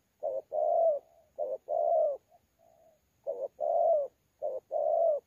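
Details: A wild-caught spotted dove in 'thổ pha' style coos in contest at Sa Thầy, 26 November 2019. Paired low coos, one clipped and one long, repeat four times, with quiet soft hums in the gaps.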